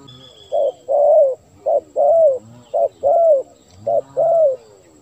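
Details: Spotted dove calls used to lure wild doves: four even pairs of a clipped coo followed by a longer, slightly rising-falling coo, evenly spaced, with a faint high whistle at the start.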